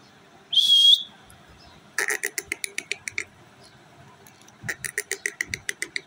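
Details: A pet rose-ringed parakeet (Indian ringneck, Psittacula krameri) gives one short high whistle, then two bursts of quick, harsh clicking notes, about six per second; no clear words are heard.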